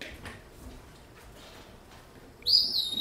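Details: Northern cardinal call played back during a classroom lesson: after a couple of seconds of quiet room murmur, a single clear, high whistled note holds steady.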